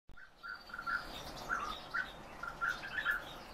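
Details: Captive European bee-eaters kept as aviary birds give soft, rolling trilled calls near the same pitch, about eight short notes spaced irregularly across under four seconds, fairly faint over a quiet background hiss.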